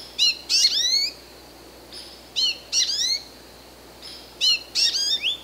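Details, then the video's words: Calls of an American goldfinch. Sharp high twittering notes come in paired bursts about every second and a half, some sliding downward, with soft faint notes in between. "Cri du Chardonneret jaune/American Goldfinch Call"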